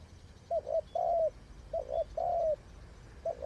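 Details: Spotted dove used as a decoy for trapping, cooing in low mellow phrases: a double coo followed by a longer drawn-out coo, repeated twice, then another start, over soft background noise.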